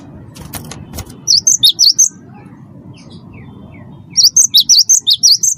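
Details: Cinereous tit of the wingko type in rolling song meant to set other birds singing: two fast runs of sharp, high alternating whistled notes, about eight per run, with a soft rustle between.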